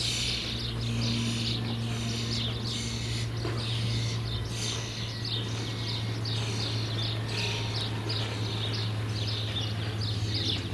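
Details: Common starling (Sturnus vulgaris) nestlings close to fledging make a continuous run of scratchy, wheezy bursts at roughly even intervals throughout, with a steady low droning hum underneath.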